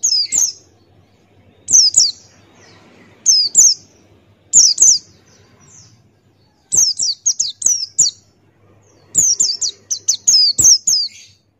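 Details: Male Buxtoni White-eye in Ngalas song, beak open, recorded as a tutor for other birds: clusters of two to six rapid, high, falling whistled notes every one to two seconds, with a faint low hum behind.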